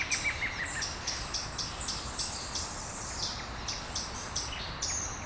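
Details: Small birds singing at dawn in Brasília, Brazil: many high, thin chirps and short whistled notes overlapping from several birds, with steady low background hum.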